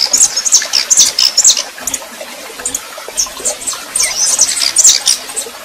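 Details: Red-pileated finch, a female singing in male fashion as she warms up, gives quick, high, sharp chirps in rapid clusters at the start and end, with quieter scattered notes between, over constant watery hiss.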